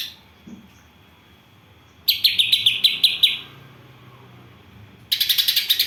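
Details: Greater green leafbird with gereja and kapas tembak isian delivers a second-long run of rapid, evenly repeated scratchy chirps, then after a pause a fresh burst of dense harsh chatter.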